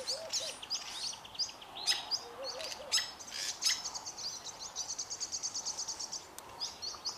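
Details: A singing pair of Fork-tailed Drongos: varied sharp high whistles and clicks, then a fast even series of repeated chip notes, with brief low warbled phrases early on.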